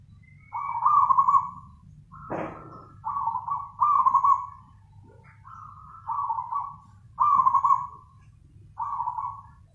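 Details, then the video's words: Zebra dove singing vigorously in the nganyer style: rolling, purring trilled coos around one pitch, repeated in short phrases with brief gaps, one sharp click partway through, steady low hum beneath. "PERKUTUT GACOR nganyer"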